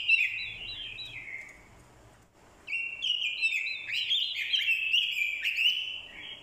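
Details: Female-call-driven fighting song of a lure Orange-headed thrush; a descending warbled phrase, a short silence, then a long, energetic run of varied whistles and scratchy notes.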